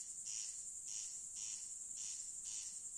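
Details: Night-time corn crake gives a series of raspy, scraping bursts roughly every half second. A steady shrill insect hum fills the background.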